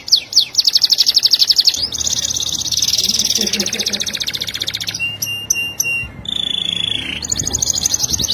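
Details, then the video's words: Master song of a canary for teaching other canaries: fast trills flowing into buzzy rolls, a short steady whistle, metallic clicking notes and another rapid trill, loud and unbroken. "Buat Masteran Kenari Super Gacor"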